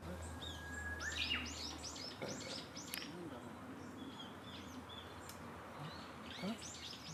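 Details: Wild black-faced bunting busily feeding, 2 April 2019. A brisk series of short, arching high chirps follows a thin drawn-out whistle. Later, scattered fainter notes come over a low outdoor rumble and hiss.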